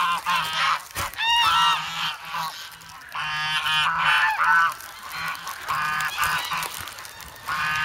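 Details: Noisy, hungry geese, grown from goslings, gather in the snow at Sloterpark, Amsterdam, on 3 February, eager for bread; repeated brassy honks in quick overlapping runs, interrupted by a sharp knock and brief lulls.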